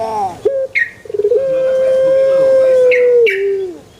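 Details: Male Barbary dove: a quick burst of rattling pulses leads into a single long, level coo of about two seconds that ends with a lower falling tail. Short scratchy sounds occur.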